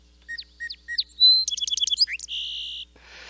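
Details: Song Sparrow song: three crisp, evenly spaced introductory "chip" notes, then a clear whistle, a rapid buzzy trill and a long dry buzz to finish.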